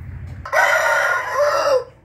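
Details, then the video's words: A single rooster crow in the morning, 8 April 2021: one loud, sustained, harmonic cock-a-doodle-doo lasting about a second and a quarter, ending with a slight downward tail, over a faint low hum. "nghe tiếng gà gáy buổi sáng ò ó o"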